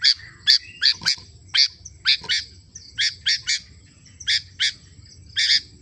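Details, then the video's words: Sooty-headed bulbul singing energetically: rapid clusters of crisp, high chirps, often two or three close together, pausing briefly between bursts, against a quiet low-frequency rumble. "Suara kutilang √ gacorr"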